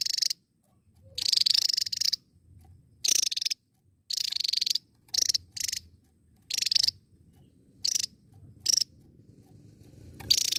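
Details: Repeated short bursts of harsh high buzzing trills from a Javan tesia, interspersed with quick sharp notes and gaps, with faint low background noise.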